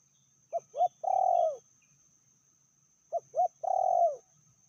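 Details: Spotted dove, a hen called fiercer than the male, calling at medium strength: two short coos leading into a long vibrating coo, the phrase given twice about two and a half seconds apart, with faint chirps early on.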